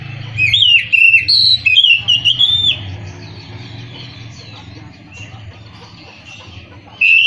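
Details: Oriental magpie-robin singing: a loud burst of clear, whistled phrases wavering and sliding up and down over about two seconds, then a quieter stretch of faint warbling, and a final bright whistled note.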